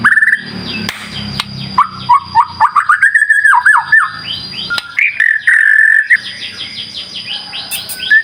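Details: Lure song of a White-rumped shama meant to set other birds singing: a run of quick, evenly spaced whistled notes climbing slightly, a fast chattering stretch, then long held whistles and a rapid buzzy series.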